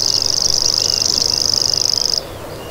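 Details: Loud, steady mechanical reel of a common grasshopper warbler, a fast ticking high trill lasting about two seconds before cutting off, leaving quiet background.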